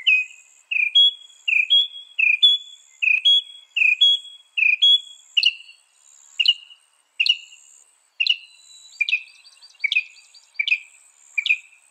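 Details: Northern mockingbird in loud song: a two-part chirped phrase repeated about ten times at a steady pace, then a switch to sharp downslurred notes, with high faint twittering from another bird behind.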